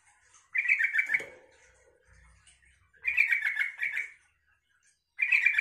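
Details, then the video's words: Yellow-vented bulbul bubbling song aimed at getting other bulbuls to reply, given as three rapid chattering phrases about two seconds apart, with a brief dull thump between. "suara trucukan ini bikin trucuk lain nyaut dan ikut gacor"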